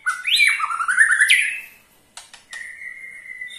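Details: Ketrekan of a white-rumped shama, used to spur other shamas into song: a loud, sweeping whistled phrase, then a short pause, a couple of clicks and a long steady whistle.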